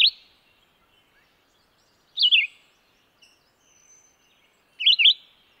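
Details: Red-eyed vireo singing: short, slurred, warbled phrases that rise and fall, given about every two to three seconds with silent gaps between them and a clean, quiet background.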